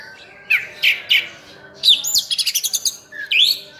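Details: Singing oriental magpie-robin (kacer) with filler phrases: three sharp slurred whistles, a rapid run of about six clicking notes, then a rising whistle.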